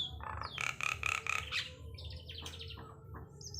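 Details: Javan myna, called jalak kebo, giving its coughing-style call: a run of four harsh, rasping bursts repeated quickly, followed by higher scratchy chattering notes and brief squeaks, with low hum beneath.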